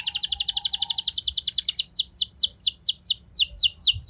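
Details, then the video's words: Canary lure song: fast rhythmic trill of repeated notes during the first two seconds, turning into slower loud descending whistled notes about three per second. "Pancingan Burung Kenari Ngeroll Mewah! Bikin Emosi Kenari Lain Auto Terpancing Jadi Gacor"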